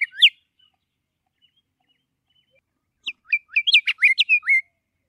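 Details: Scott's Oriole gives one sharp whistled note, then a pause of nearly three seconds. A quick, melodic run of slurred whistles follows and ends on a drawn-out falling note. The background is quiet.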